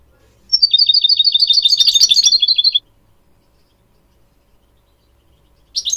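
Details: Goldfinch song played to train goldfinch mules and a canary: a steady, rapid trill of sharp high twittering notes, about three per second, lasting two seconds, then silence before a new burst starts.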